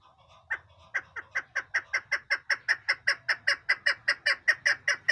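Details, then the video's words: A female chukar partridge gives a steady run of harsh, downward-slurred chuck notes, about three per second, that grow louder and more even as the series goes on. "madi shikar awaz bast female sound dasi madi keklik sesi"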